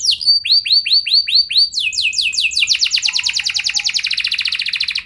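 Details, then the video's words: Lure song of a gacor canary meant to provoke other canaries into singing: repeated upward-hooked whistles, then falling sweeps that speed up into a dense, fast rattling trill. "Burung Kenari Kondisi Apa Saja Bisa langsung Respon Dengan Pancingan Kenari Gacor Satu Ini"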